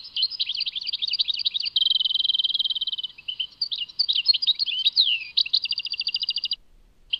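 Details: European goldfinch, song labelled Tadmait: lively twittering notes lead into a long, smooth buzzy trill, followed by chattering phrases, a downslurred whistle, and a fast repeated rattle before the singing stops.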